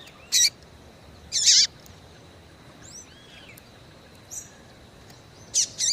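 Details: Calling female Double-collared Seedeater, in breeding condition, used to excite males: three loud, harsh high chip notes, the middle one longer with a hooked tail, separated by pauses, while soft arched whistles of other birds sound faintly between.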